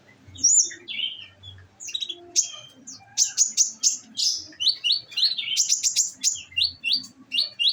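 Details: Olive-backed sunbird held in a cage and fed nectar, singing in the bursting 'nembak' style: sharp high chirps at first, then quick runs of short, thin downslurred notes repeated about twice per second, with occasional soft low thumps.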